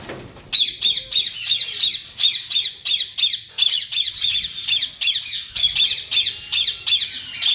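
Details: Breeding pair of yellow Indian ringneck parakeets: a steady run of about twenty short, shrill, harsh squawks, roughly three per second, each note rasping and even in pitch.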